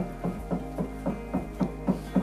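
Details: A woodpecker knocks on a Canadian cattle-ranch house, heard from indoors: dull, low thuds at a steady pace of about four per second, with faint room hum behind.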